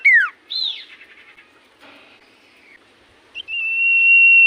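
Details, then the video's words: Common iora singing in full voice, said to get other ioras to reply: a falling swoop and an arched whistled note, quiet soft chatter, then a long level high whistle held to the end. "Burung sirtu cipoh gacor hitungan detik burung cipoh apapun pasti Langsung nyaut"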